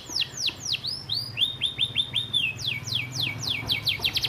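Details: Canary singing church-style filler song for a training master: drooping whistled sweeps, a short run of level high notes, then a quick series of downslurred notes, over a low steady hum.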